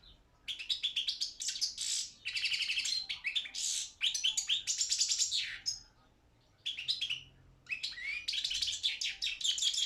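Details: Balkan goldfinch, Carduelis carduelis balcanica, entered in a Serbian world goldfinch song championship: vigorous, rapid trilled and twittering phrases in repeated bursts with brief gaps, one longer pause midway.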